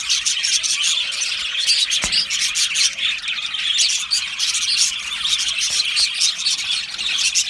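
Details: Budgie parrots massed in an aviary produce a rapid, shrill chatter of chirps and squeaks, steady throughout, with one sharp click partway through.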